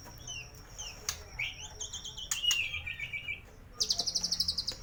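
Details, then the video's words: White-rumped shama at a bird shop in North Jakarta, Indonesia, giving a full varied song meant to prompt silent birds to sing: clear whistled notes, slurred rising and falling phrases, then a fast run of sharp, even high notes. A steady high tone persists. "Murai batu full isian cocok buat pancingan burung bisu"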